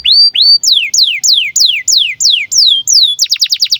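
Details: Canary in breeding condition, kept to train young birds, sings a series of loud whistled notes, each a rising sweep falling into a long slide, repeated about three times a second, ending in a fast trill.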